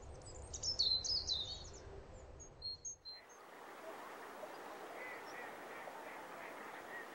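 A corn bunting gives one high, jangling song that sounds like shaken keys, lasting about two seconds, with low wind rumble. A steady hiss follows.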